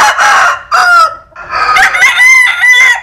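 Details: Rooster crowing, several handsome cocks, Asil-type and Cuban-type fowl, sunbathing in the Mekong Delta countryside of Vietnam; loud harmonic crows, a short rising note then a long drawn-out quavering tail, two bursts close together.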